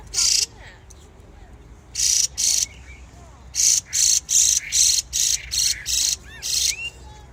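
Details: Birds in spring giving loud, scratchy chirps, first singly, then in a fast series of about ten chirps, with faint slurred whistles underneath.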